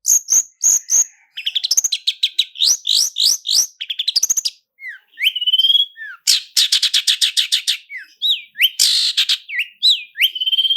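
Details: Long-tailed shrike song used as a lure, packed with mimicry in the roll speed and roll tembak style: fast trills, rising whistled slurs, harsh buzzy bursts and rapid stuttering notes in varied, nonstop phrases with no background noise.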